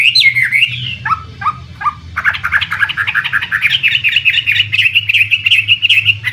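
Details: Chinese hwamei, imported and kept for bird contests, starts with a few looping whistles and short separate notes, then breaks into a fast, jumbled chattering warble of many quick notes; low hum beneath.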